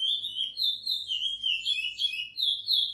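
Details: Praia-style song of a Chestnut-bellied seed finch, edited to tutor other curiós: rich whistled notes linked in a warbling, rising-and-falling phrase, loud and clean against near silence.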